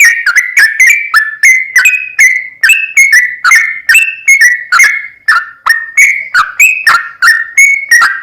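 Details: Sooty-headed bulbul singing continuously to incite another bird: a long string of fluty whistled notes, each short and sharply begun, varying slightly in pitch, around three per second.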